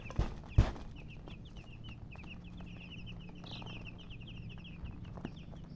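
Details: After two dull thumps, colored chickens peep in a fast, uneven stream of high short chirps, about 154 a minute, above a low steady hum.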